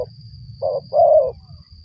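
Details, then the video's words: Spotted dove used in luring birds for trapping, giving two short low cooing notes, the second longer, over faint low rumble and a steady thin high-pitched whine. "mikat burung tekukur"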